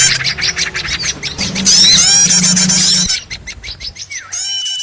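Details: Lure recording of noisy small birds for trapping: a quick series of rhythmic chips gives way to a dense burst of squeaky, overlapping whistles, then sparser chirps and a single downslurred note, over a steady low hum.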